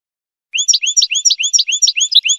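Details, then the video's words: Goldfinch singing, a fast series of rising, slurred chirps repeated about five times a second in a steady, ringing trill, with high tinkling overtones and no background noise. "Golden-feathered Goldfinch singing"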